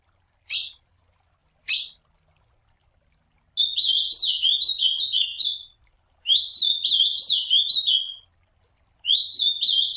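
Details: In nature, an ultramarine grosbeak gives two brief sharp call notes, then delivers its classic song: three warbled phrases of quick up-and-down whistled notes, each around two seconds long and separated by short pauses, with a calm background.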